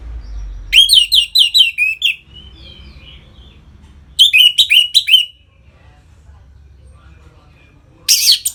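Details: Orange-headed thrush delivering ngeplong song to excite birds into breeding condition: phrases of rapid descending whistled notes repeated several times, with long quiet gaps and a final dense burst of high sound.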